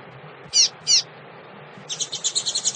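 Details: Female double-collared seedeater calling to stimulate males: two sharp, high downslurred chips, a pause, then a fast buzzy chatter of about eight rapid notes. Low steady background hum.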